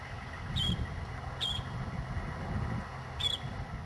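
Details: Northern shrike (Lanius excubitor) calling: three short, high, squeaky notes, two close together then a pause before the third, over a steady low rumble of background noise.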